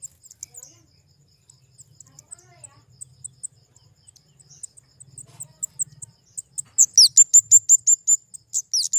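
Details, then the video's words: Kemade, a flowerpecker, giving faint high ticks that build into loud, rapid, very high-pitched chips in quick succession toward the end. "Suara burung kemade"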